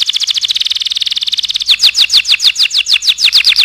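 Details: Canary song used to tutor other birds: a very fast rolling trill of high notes, then a slower series of loud, sharp down-slurred chips repeated evenly.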